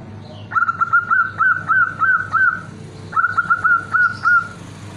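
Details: Zebra dove hen calling for a male, delivering two quick runs of clipped, rising whistled notes separated by a short break, set against steady low rumbling background noise.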